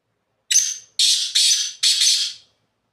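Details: Black francolin calling from the top of a rock: four loud, harsh, rasping notes, a short first note followed by three longer grating ones in quick succession, each fading away, against a silent background.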